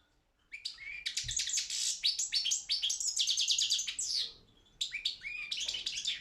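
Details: Competition song of a European goldfinch, subspecies balcanica, from a Serbian-run online world championship; fast rattling twitter of sharp repeated notes mixed with short whistles, a quiet gap, then the twittering resumes.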